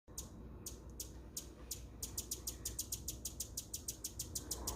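A hummingbird gives thin, sharp, high chips that speed up from about three to six per second, over a low steady rumble.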